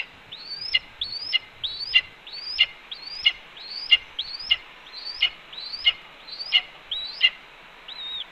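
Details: At a Cornell nest on the morning of 28 April 2013, a red-tailed hawk scolds as its mate brings a branch. Loud, ringing notes rise then fall sharply and repeat steadily, about eleven in eight seconds, over a quiet background.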